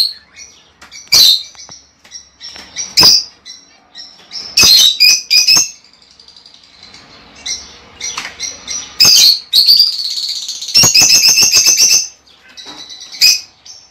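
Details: Lovebird sounds meant to encourage mating: scattered piercing squawks and chirps, a scratchy lower stretch in the middle, then a rapid buzzy chatter of repeated shrill notes before a last squeak.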